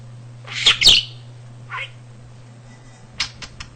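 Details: Talking pet budgie kept indoors, vocabulary of almost 300 words and phrases picked up naturally, known to mimic a cat's purr; two loud squawky syllables, a short pause, a softer chirp, then quick ticking clicks, steady low hum behind.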